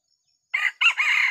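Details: Decoy red junglefowl rooster crowing to lure wild junglefowl in a small oil palm plantation in Sumatra; a loud, clipped crow in two rasping parts, a short first note then a longer held phrase, with no other sounds.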